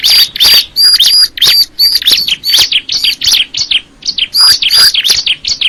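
A prinia sings a loud, rapid, high-pitched chatter of sharp chirps and thin whistled notes, about three per second, with no other sounds.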